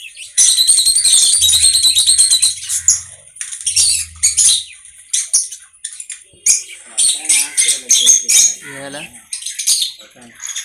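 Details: Pet conure giving rasping, high squawks in a long dense run, followed by choppy screeches and a few clearer chirping notes; a low murmur sits faintly beneath the early calls.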